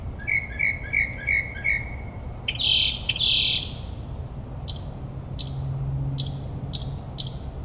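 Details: Suburban New Jersey mockingbird at night mimicking other birds: six quick, bouncing chirps in a row, two loud harsh rasps, then a series of short clipped notes spaced about half a second apart, over a low hum.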